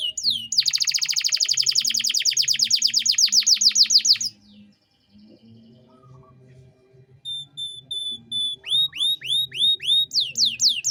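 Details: Gacor canary giving luxurious 'cengkok mewah' phrasing meant for training young birds: a loud, very rapid high trill for about four seconds, a quiet gap, then thin whistled notes and a row of rising, hooked chirps.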